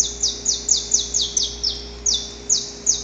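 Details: Saffron finch male singing in the pre-dawn hours toward a female: rapid series of harsh, high descending slurs, about two or three per second, slightly uneven spacing, against a low constant hum.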